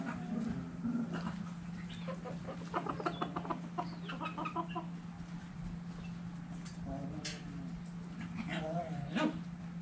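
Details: Chickens and roosters dirt bathing, giving soft repeated clucks in short stacked bursts, with a steady low hum and scattered scratching noises throughout.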